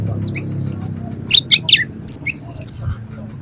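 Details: Oriental magpie-robin singing rough material to raise another magpie-robin's agitation: high thin sustained whistles broken by a pair of harsh descending rasps, over a noticeable low hum.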